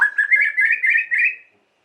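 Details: White-rumped shama, used to provoke emotion in other shamas: a short, quick warbled phrase of bubbling notes, gently rising in pitch.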